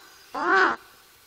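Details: A Ural owl reacting to a person near its nest gives one harsh, hoarse bark lasting under half a second, rising slightly then dropping, against a quiet background.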